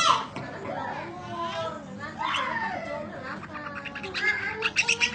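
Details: Budgerigar long chirping used as tutor audio: soft muttering, speech-like warble with drawn-out sliding notes, ending in a run of louder sharp clicks and chirps, over a low continuous hum.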